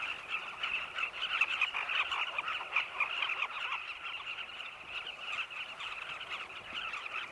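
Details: A flock of Carmine bee-eaters circling nesting tunnels dug in a cliff in Zambia at sunset, seeking insects for their chicks. Continuous overlapping chatter from many birds, with rapid repeated notes in a steady, busy chorus.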